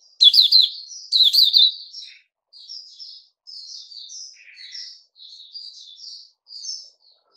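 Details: Puteh Raja, a caged bulbul, opens with two loud chirpy warbled phrases, then continues with a subdued, rambling sequence of soft twitters and short slurred notes at an uneven pace.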